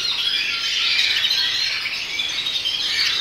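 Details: Melanin colour canary, agate opal red mosaic mutation, in continuous high warbling song: rapid rolling trills and chattering notes run together without pause, steady in loudness throughout.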